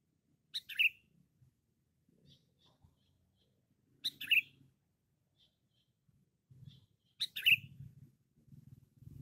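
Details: Loud, persistent sooty-headed bulbul (cengkram type) repeats a brief bubbly whistled phrase three times, roughly every three seconds, over soft low rumbling and handling noise that grows toward the end.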